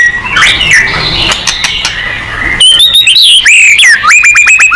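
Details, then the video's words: Song of a white-rumped shama used to provoke singing: softer warbling and chatter first, then loud clear whistles with sharp rising slurs, rapid clicks and a repeated bright falling note. "MURAI BATU GACOR|Hanya cukup 5 detik Langsung NYAUT!!"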